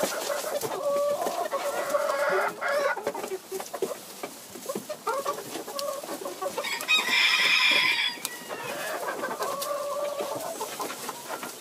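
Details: Pekin bantam cockerel, described as nosey: low, rhythmic clucking throughout, broken by a loud, strained crow of about a second before the clucking resumes.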